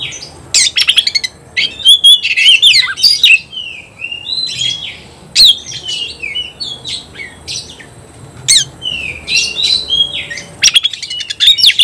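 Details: Oriental magpie-robin sings competitively against an opponent. Loud, varied whistles, downslurred notes and harsh clicks come in long energetic runs with short breaks.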